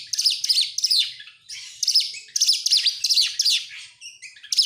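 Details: Lure song of an oriental magpie-robin to prompt other birds to sing: loud, rapid bursts of sweeping, chattering high notes in quick clusters, a brief pause midway, then more clustered phrases.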